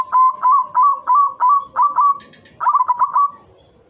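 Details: A white zebra dove sings as a breeding-stimulation lure, giving evenly spaced, bubbling coos. A brief higher chirping interrupts the run before a second faster burst of trilled coos follows.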